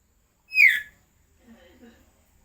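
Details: Young common hill myna, two years old, hand-raised from small and native to East Kalimantan, kept as a pet and learning to talk, imitating chickens and coughing. A single sharp, descending whistled note lasts about half a second, followed by faint, low murmuring.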